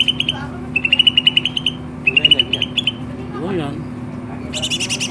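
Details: Lively greater green leafbird song of three rapid trilled bursts of about ten identical notes each, then a soft wavering sound and a closing buzzy harmonic phrase, with a steady low hum underneath.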